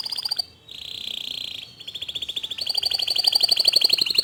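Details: White local canary singing a lively, bouncy song: quick repeated high chirps, then a steady buzzy rolling note, then a fast, even trill of bright notes at about four per second that grows louder.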